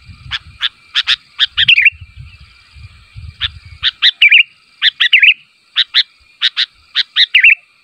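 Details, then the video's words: Sooty-headed bulbul calling for answers from other bulbuls, delivering clean paired chirps and three wavering, downward-curling warbles in a clear, quiet setting with brief low thumps early on. "SUARA BURUNG KUTILANG MEMANGGIL, KUTILANG LAIN MANA TAHAN GAK NYAUT"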